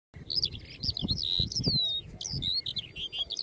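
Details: Lark singing a fast, high, twittering stream of varied chirps and slurred whistles, over low rumbling wind or handling noise.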